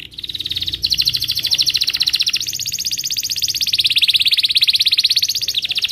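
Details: Belgian canary morning song, played to teach young canaries: one continuous, rapid rolling trill that climbs and dips in pitch, very even and fast, with no other sounds.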